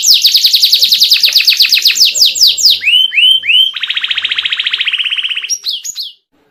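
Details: Canary masteran with ornate turns, intended to provoke other canaries: quick falling whistled notes speeding up, then curling upswept calls, a lower buzzing rattle and a few sharp high notes before falling silent.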